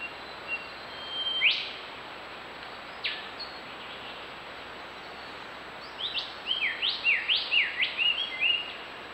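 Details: A yellow-rumped thornbill collecting wool for its nest gives a few scattered high chirps, then a quick run of about six tinkling, up-and-down notes, over a steady background hiss.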